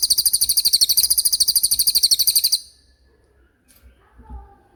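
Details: Common iora in a 'roll speed' singing style used to tutor songbirds: a rapid, high-pitched pulsed trill lasting under three seconds, then near silence with a few faint low knocks.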